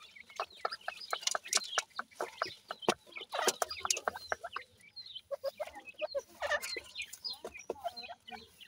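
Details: Feeding francolin chicks, dakhni teetar and bhura teetar, give quick clucks and short high chirps among dense sharp clicks, in rapid irregular bursts with short pauses.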